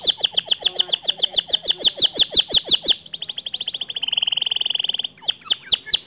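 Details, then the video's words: White male canary singing a standard long song: a run of downward-swept notes about three per second, then a quicker rattling trill and a sustained buzzy roll, closing with sharp sweeping notes. "Kenari Jantan Putih Kicau standart panjang"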